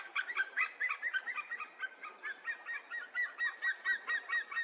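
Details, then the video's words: White-tailed eagle by a Mazovian river in Poland on a sunny day gives a fast, steady series of yelping, goose-like notes, roughly two per second, overlapping calls over a faint background hiss. "Bielik - toki, głos"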